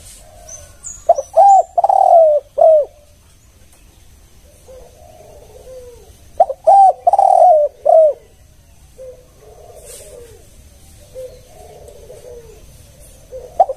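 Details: A spotted dove's lure coo sequence in the kuk-one pattern, given twice: each phrase is a cluster of four or five curved, rich coos. Quieter warbling coo fragments fill the gaps, with a brief high chirp in between.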